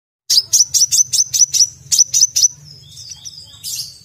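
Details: Brown-throated sunbird singing: a fast series of sharp, high chirps at about five per second, each with a bright upward flick, then thinner trailing notes and a final buzzy burst; faint low hum underneath.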